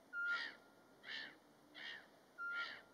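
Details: Eurasian pygmy owl (Glaucidium passerinum) singing its mating song by day in March in Latvia, unprovoked: two pure, level whistles about two seconds apart, mixed with louder, breathy rushing sounds repeating at a similar pace.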